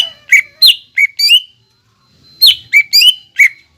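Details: Greater green leafbird song used as a lure for a bird to sing: two short clusters of loud, sweeping whistled chirps separated by a brief silence.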